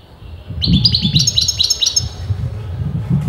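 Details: European goldfinch, over whose sex breeders disagree, producing a string of about eight quick, bright, descending twitters in regular succession, with steady low rumbling noise underneath.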